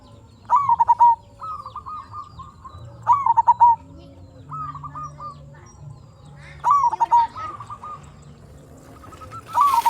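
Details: Local zebra dove singing as a lure to set off other zebra doves: four loud phrases of sharp staccato coos about three seconds apart, gentler trilled coos in between, low hum and a brief noisy hiss at the end.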